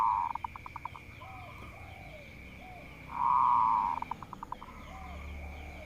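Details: Local zebra dove, a bird said to provoke rivals into singing. A sustained humming note breaks into a row of quick pulses, and the pattern repeats about three seconds later, with soft slurred notes between the phrases over a constant high drone.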